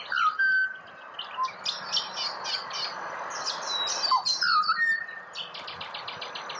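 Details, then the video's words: Wild Australian pied butcherbird singing a short fluted whistle at the start and another mellow phrase near the fifth second, with a dense wash of high twittering birds behind it. "Serenaded by Pied Butcherbird"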